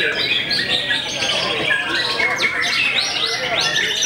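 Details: Short passage of white-rumped shama song, noted for daunting rivals: clear whistled notes and repeated rising-falling sweeps over a steady bed of fast twittering.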